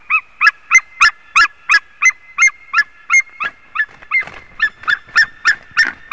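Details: A white-tailed eagle at its nest in Latvia, recorded by a live nest camera. It gives a long series of loud, yelping notes, about three per second, with a short wavering pause midway before the series resumes.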